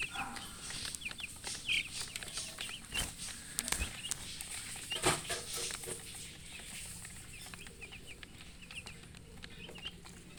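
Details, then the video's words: Thirsty coloured poultry chicks wanting water peep with brief high descending chirps scattered through the recording, some in quick pairs, among frequent tapping and clattering knocks. "Murgi chicks Chirping sounds with thirst for drink water"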